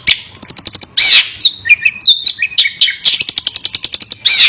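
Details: Long-tailed shrike giving a fierce, nonstop song: rapid rattling trills, harsh rasping bursts and twisting whistled notes mixed together in quick succession.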